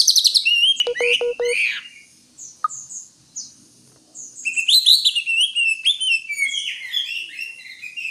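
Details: Greater green leafbird delivering a rambling song of high twittered and slurred whistled notes, interrupted by a brief low mechanical rattle and a gap, then resuming with a long fluid warble.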